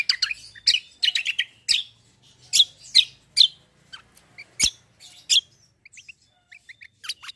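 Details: Black-winged myna in full tarung ngeroll fighting song: dense bursts of harsh, squeaky chirps and rasping notes in rapid succession, then softer short whistled notes toward the end.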